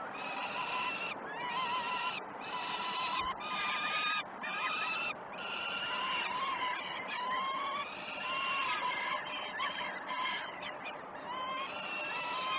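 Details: Nestling peregrine falcons being fed at Great Spirit Bluff, live camera, 12 June 2018 at 06:20. A long run of shrill, harmonic begging wails is split by brief clicks and pauses, with some calls wavering upward.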